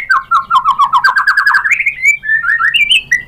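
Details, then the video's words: White-rumped shama singing a rapid rhythmic string of short whistled notes, about five per second, rising in pitch, then separate sweet slurred whistles. "PANCINGAN MURAI BATU biar EMOSI NYAUT jadi GACOR BONGKAR ISIAN | SHAMA BIRD"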